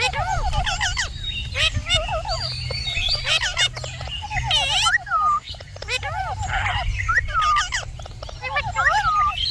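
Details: Pet Indian ringneck parakeet talking: a run of rapid, wavering, speech-like phrases with harsh chattering bursts and squawky notes, delivered almost continuously, over a low steady hum in the background.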